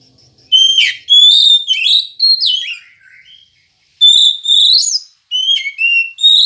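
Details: Kacer, the Oriental magpie-robin, singing to draw song from caged birds in the morning: a loud phrase of level and slurred whistles, a brief pause, then a second phrase with long rising whistles and short dropping notes.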